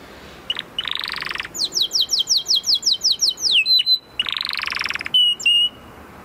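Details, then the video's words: Canary singing a buzzy roll, then a fast series of descending whistled sweeps, steady pure whistles, and another dense buzzy trill ending in a long flat whistle. "اروع صوت كناري"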